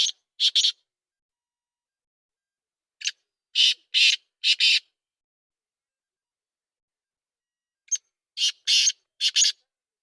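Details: Black francolin calling: harsh, grating phrases of a short lead note followed by several loud rasping bursts, repeated about every four seconds against a silent background.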